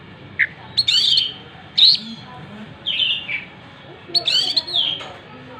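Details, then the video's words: Oriental magpie-robin singing vigorously while spreading its tail: short bright whistled phrases and sharp chirps at roughly one-second intervals, separated by quiet gaps over a low background hum. "Burung Kacer gacor buka ekor"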